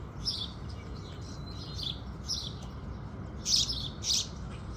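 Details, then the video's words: House sparrows at sunrise, with scattered soft high chirps followed by two louder, brighter chirps near the end, over steady low background noise. "Sparrows Sound Effect | Sparrow Sounds | Beautiful Birds Singing | Sparrow Calls"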